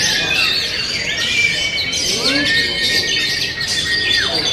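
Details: Oriental magpie-robin delivering high scratchy phrases, then a long, clear whistled note that rises and holds steady for about two seconds before dropping, amid a chorus of other birds.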